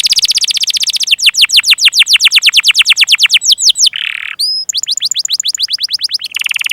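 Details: Canary singing to coax young or silent canaries into song: rapid repeated sweeping notes in a steady roll, a brief harsh buzzy note, then clipped whistled notes and another quick trill.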